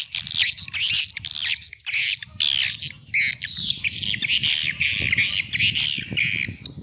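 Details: Swiftlet attracting call in an old-fashioned style: loud, harsh, buzzy high chatter in repeated bursts, several birds seeming to overlap, over a low rumbling background.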